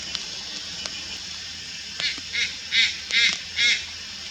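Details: Juvenile Malayan night heron recorded at Lugu on 4 August 2022: five short, harsh, nasal calls in a row after two seconds of quiet, each under half a second, over steady hiss.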